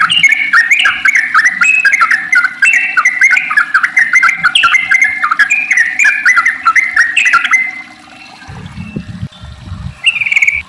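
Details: Long, rapid song of a sooty-headed bulbul, meant to prompt other bulbuls to sing: fast cascading whistles running for about eight seconds, then a brief pause with a low thump and a final phrase.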